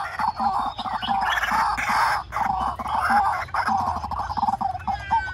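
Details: White-breasted waterhen calling, a recording used to lure birds into traps: loud, harsh croaking notes delivered in rapid rhythmic bursts with brief pauses between phrases, over a steady low hum.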